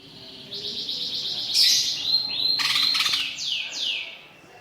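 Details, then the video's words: Greater green leafbird, caged, delivering 'isian mewah' mimicry song: a quick series of high chirps, then swooping whistles and loud harsh bursts, ending in falling whistled notes. "CUCAK IJO GACOR ISIAN MEWAH"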